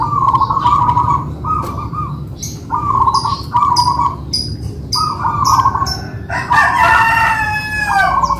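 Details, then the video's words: Two kept local-type zebra doves sing together in a duet. Repeated short, trilled, bubbly coo phrases come roughly every second with small pauses. A brief crow-like call rises at the end over a low hum. "PERKUTUT MANGGUNG"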